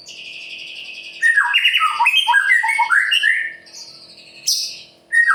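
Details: White-rumped shama, Murai Pastol style, singing to provoke other birds: quiet high notes, then a loud rapid jumble of swooping whistles, followed by a piercing high note and a fresh loud start.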